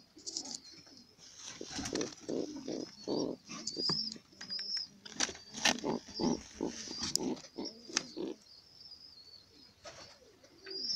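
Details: Pigeon caught on camera in the moment of laying an egg, uttering a run of loud, throaty, pulsing coos and grunts in quick bursts, while high twittering chirps from other birds continue behind.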